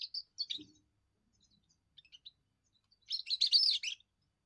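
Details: Young goldfinch's first song, a territorial and courtship display of the European goldfinch; two brief chirps and faint scattered notes, then a loud one-second burst of dense, buzzy twittering.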